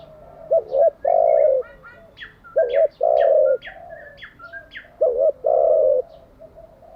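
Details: Spotted dove cooing, used for training wild-caught and decoy birds: three evenly spaced phrases, each a quick two-part coo then a longer hollow coo, with faint higher chirps from other birds.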